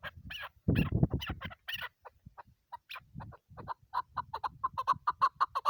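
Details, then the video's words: Female chukar partridge calling: after a few loud low thumps and scattered clucks, a fast series of short, clipped mid-pitched notes builds up and repeats rapidly toward the end. "shikari chakor ki awaz keklik sesi chakor birds"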